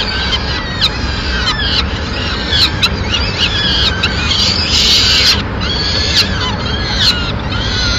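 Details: Peregrine falcons in Madrid, 29 April 2016, with the mother arriving with food for the chicks: rasping, downward-sweeping screeches repeated about once a second, some overlapping, against constant wind-like hiss.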